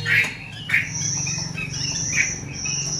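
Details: Caged female Chinese hwamei calling to fire up males: three sharp chirps spaced apart, with a continuous high insect-like buzz and a low hum underneath.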